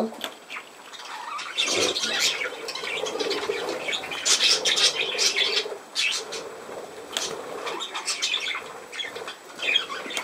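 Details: Budgerigar warbling with scratchy chirps and louder squawky bursts, uneven in rhythm, over a constant soft background hiss.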